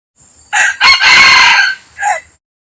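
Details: Rooster crowing loudly: a short opening note, then a long, rich, harsh drawn-out middle part, then a brief falling final note, the whole crow lasting about two seconds in an otherwise quiet setting.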